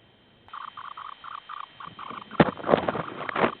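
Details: Semipalmated sandpiper near Barrow, Alaska, on its breeding grounds: a run of soft, evenly spaced short notes, then louder irregular notes mixed with heavy thumping and rustling handling noise.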